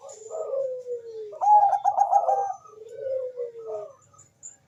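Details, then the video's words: Perkutut, Bangkok zebra dove, singing as a lure to spur mating and song: long gliding coos sliding downward, a middle burst of rapid rolling notes, then more falling coos, faint high twittering behind. "perkutut bangkok gacor suara merdu cocok untuk mendongkrak birahi dan bunyi"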